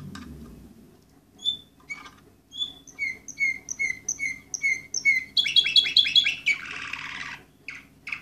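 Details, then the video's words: Over a low background hum, an Orpheus breed canary numbered 24 in 2014 gives scattered single notes, then a regular series of clear repeated notes, a fast rattling trill and a buzzy burst. "canary orpheus"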